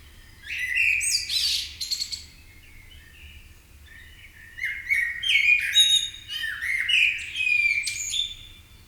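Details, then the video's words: Birds awakening in the morning in Marousi, Athens, Greece: bursts of high, rapid chirping and twittering with rising and falling whistled notes, two phrases separated by a quiet pause, faint low hum beneath. "MAROUSI BIRDS AWAKENING"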